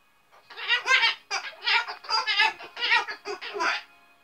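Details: Ten-year-old female pet Umbrella Cockatoo with a large vocabulary, chattering indoors in about seven rapid, raspy, speech-like bursts like giggling over three seconds; she behaves this way when it gets loud or she dislikes something.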